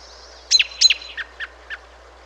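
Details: American robin calling in December, a bird more common in the South in fall and winter; a few sharp, downslurred call notes, the first two loud and doubled, then three softer evenly spaced notes, quiet background.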